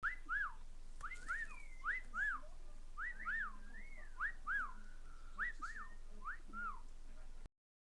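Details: Pet cockatiel on a computer desk indoors, whistling a quick series of clear, rising-and-falling notes in short phrases, several per second, with a faint low hum behind.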